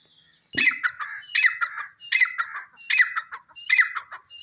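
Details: Grey francolin, local name desi teetar: after a soft start, five loud phrases follow at regular intervals, each a sharp whistle running into a raspy, descending clucking chatter, with nothing else audible.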